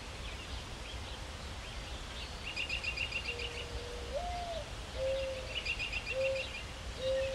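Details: Perched in a maple tree, a mourning dove gives its mournful coo: a drawn-out note rising then falling, followed by three short level hoots, while other songbirds twitter faintly overhead.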